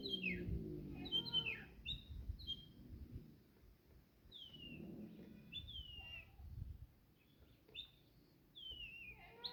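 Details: A pair of mockingbirds in Jamaica sing many different sounds: a varied run of short whistled and chirped phrases, many sharply down-slurred, coming in bursts with brief pauses. Low rumbling background noise sits beneath.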